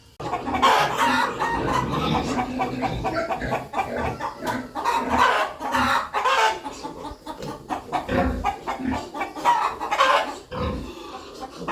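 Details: Rooster clucking in a farmyard, part of a dense, continuous chatter of overlapping harsh clucks and cackles with hardly a pause, loud throughout.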